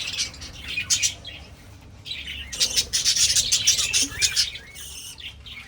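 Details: Budgerigars kept for breeding in 2026 burst into fast, buzzy, high chirps, pause briefly, then chatter again in a dense run before quieting.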